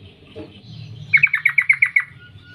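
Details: Sooty-headed bulbul female calling males, giving eight evenly spaced, sharp chirps in a quick row after a quiet start with faint background rumble.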